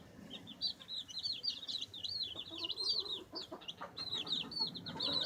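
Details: Baby chickens pecking and scratching, giving a continuous flock chorus of thin, high, rapid peeping chirps that rise and fall, with soft scratching and tapping noises underneath.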